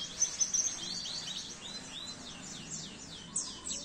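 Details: Masteran recording of an Oriental white-eye for training caged birds. Bright, high chirping notes come in quick downslurred sweeps, with a few louder accents at the start and end over a soft noise bed.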